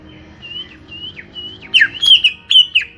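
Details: A small-bodied captive greater green leafbird sings clear, high whistled notes, one about every half second, then bursts into richer, slurred warbling phrases against a quiet background.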